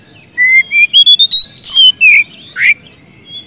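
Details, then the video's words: Singing white-rumped shama calling a rival, meant to spur a silent bird into song: a series of clear whistles stepping upward in pitch, followed by a quick high flourish and a buzzy note. "siulan kacer gacor ngeplong memanggil lawan"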